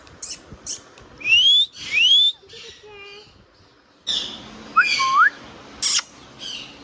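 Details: Chattering pet Indian ringneck parrot gives two bright rising whistles, a buzzy harmonic phrase, then clicks and a pair of short upslurred notes before a final sharp click.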